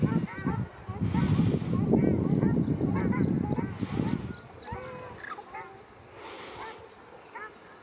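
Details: Ruddy shelducks squabbling at Arucas, Gran Canaria, 13 February 2021: nasal honks over loud splashing that dies away after four seconds, leaving a few more spaced honks.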